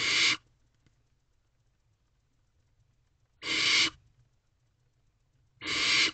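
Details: Barn owl owlets in a nest box at night, 12:23 am on 5 May 2023, one swallowing a mouse as siblings watch: three loud harsh breathy hisses, each about half a second, spaced two to three seconds apart.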